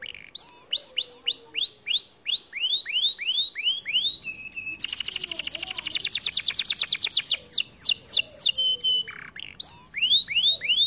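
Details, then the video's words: Canary song: rows of repeated down-curving whistled notes, then a very fast rattling trill from about 5 to 8 seconds, followed by more sweeping whistles and a steady note. "The canary sings beautifully"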